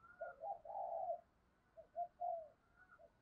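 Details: Decoy spotted dove calling to lure wild doves: a soft stuttering lead-in, one drawn-out mellow coo, then a shorter trio of low coos.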